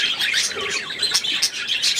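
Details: Several budgerigars chatter continuously, mixing bright chirps, short whistles and raspy squawks, recorded indoors in December 2016 while a man talks to the birds.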